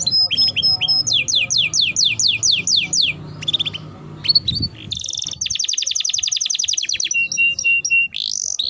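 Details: Timbrado canary singing a string of evenly spaced downslurred whistles, short chirps, then a fast rolling trill and thin held notes; soft low hum beneath.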